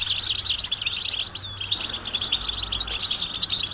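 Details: Short burst of European goldfinch group calling, described as mating and readiness calls stimulating males to sing; high, thin chips and a few clear downslurred whistles ring over busy twittering.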